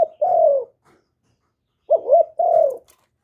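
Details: Spotted dove of Vietnam, recorded without background noise: a long falling coo, a silence of more than a second, then a two-part phrase of wavering notes and another descending coo.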